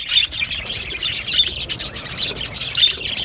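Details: Short burst of happy budgerigar chatter from an aviary colony, soft overlapping chirps with a few clear, thin whistled notes standing out.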